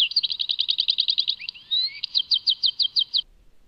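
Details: Tadmait European goldfinch sings a quick rhythmic series of sharp notes, a soft rising whistle, then slower evenly spaced clipped chirps before going silent.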